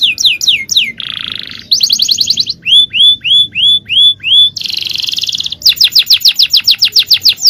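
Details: Varied male canary tutoring song: whistled sweeps, a harsh buzzy block, a rapid trill, a row of spaced upward-hooked whistles, another buzz, and a closing fast rattling trill.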